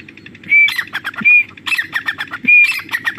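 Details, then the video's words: Female grey partridge (desi teetar) calling non-stop in jungle, a call used to lure birds for hunting; loud harsh high notes, each with a sharp whistled tone, repeated roughly every second in a rapid ringing series. "Desi teetar madi ki Shikar wali voice"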